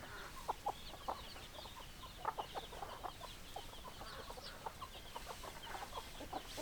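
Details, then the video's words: Several hens cluck quietly, irregular short low clucks spread across the clip beneath a steady hiss. "Chicken Sounds Noises Hens Clucking Roosters Crowing"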